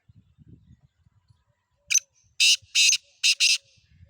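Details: Black francolin: after soft low thumping noises, a short harsh note and then two pairs of loud grating rasps, the complete call lasting about 1.5 seconds.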